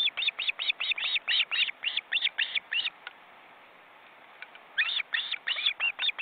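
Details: Osprey family on a nest in a forest reserve in Estonia, recorded by live webcam. Grown chicks keep spreading and flapping their wings. Sharp, high whistled notes repeat rapidly, about four per second, stop for about two seconds, then resume.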